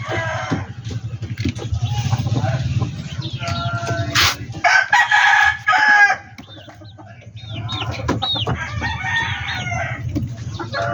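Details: Backyard chickens: a rooster gives a long, loud harmonic crow, followed after a pause by bursts of clucking and cackling from several birds, against a faint low drone.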